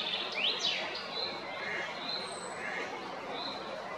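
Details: Male Eurasian blackbird in Zagreb's Jarun area, Croatia, 22 April 2021: a couple of sharp up-slurred whistles near the start, then quieter scattered thin notes and soft warbles over noticeable background noise.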